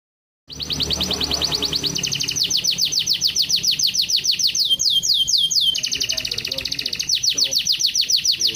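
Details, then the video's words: Canary singing what is billed as a 'luxurious song': after a brief silence, a fast run of high, downward-sweeping notes repeated several times a second, switching between different trill types every second or two, bright and continuous throughout. "KENARI LAGU MEWAH"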